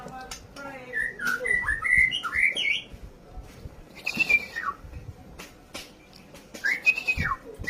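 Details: ['White-rumped shama singing its fighting style to rile rivals: bursts of fluting, swooping whistles and chattering notes, broken by short pauses and scattered clicks, with a quieter stretch before loud slurred whistles return.']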